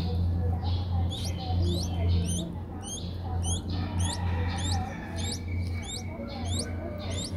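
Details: Nestling Streak-eared Bulbuls aged five days, Ubon Ratchathani, Thailand, 7 April 2023: a regular run of about a dozen shrill, hooked chirps, roughly three every two seconds, over a continuous low electrical-sounding hum.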